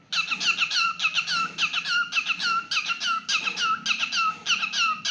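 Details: Singing pet cockatiel, continuous bright whistled chirps with falling inflection, steady rhythm of about two notes per second throughout, recorded in a small room.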